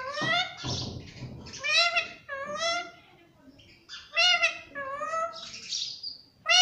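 A rose-ringed parakeet imitates human words like "mummy" and "papa" in short, nasal, speech-like bursts with a few shrill squawks, in a quiet room.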